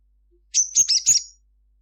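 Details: Sunbird, locally called sogon, singing at midday: a short burst of very high, thin chirping notes, a sharp whistle followed by three quick clustered twitters lasting under a second, with a quiet background.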